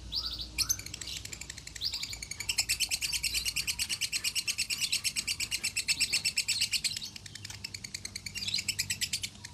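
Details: Konslet-style lovebird song from Salatiga, kept as a tutor bird and credited with an 8400-point score: a long, unbroken, rapid chattering trill of high buzzy notes about three per second, briefly pausing then resuming, with faint murmuring in the background.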